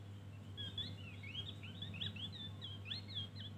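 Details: Javan grey-throated white-eye giving its 'ngeriwik' full twittering song: quick, high, chirpy slurred notes tumbling up and down in a continuous busy stream, over a steady low hum.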